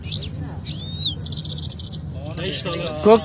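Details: Competing canaries in Quetta sing a mix of swooping whistles and a dense, buzzy rattling trill lasting about a second, followed by sharp chirps; a man's voice joins near the end.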